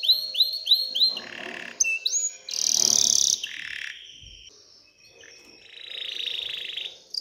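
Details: Excited canary song intended to stimulate females to mate and build a nest: rising whistled notes repeated, a burst of harsh noisy chatter, then a soft level buzzing trill and a final high note.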